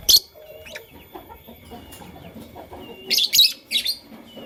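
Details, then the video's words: Lovebirds, Fischer's and masked, chirping in the morning: one sharp, shrill chirp at the start, then a tight cluster of four harsh, high chirps just past three seconds, over a quiet low hum. "LoveBird Chirping Sound"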